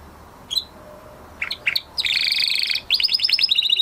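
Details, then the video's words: Male canary after moulting: a few isolated chips and short slurred notes, then a dense buzzy trill and a fast rhythmic series of repeated high notes, against quiet background hiss. "Canary Trying To Unlock His Full Singing Potential Part 2 - Canary Singing Video"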